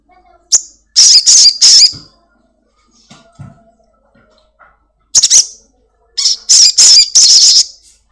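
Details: Home-kept Black-winged myna singing loudly, used as a lure so a caged bird starts singing fast; clusters of three to four harsh, scratchy, high squawks, separated by a quiet gap with faint soft sounds.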